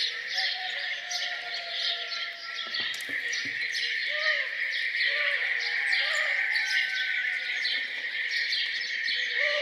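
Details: Birds singing their morning songs around a farmhouse: dense high chirping and twittering, a few low rising whistles, and some brief knocking thuds early on.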